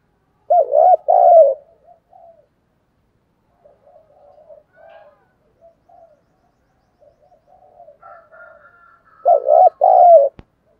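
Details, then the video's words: Spotted dove in the deep-voiced 'thúc gù' cooing style, used to lure wild doves: two loud, low, throaty double coos open and close the stretch, with softer murmured cooing between them. "tiếng chim cu gáy THÚC GÙ giọng thổ"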